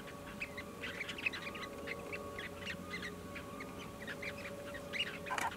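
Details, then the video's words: Short-billed Dowitchers in Canada give quick, soft chattering notes in irregular bursts over a steady low hum. "アメリカオオハシシギの鳴き声J Short-billed Dowitcher"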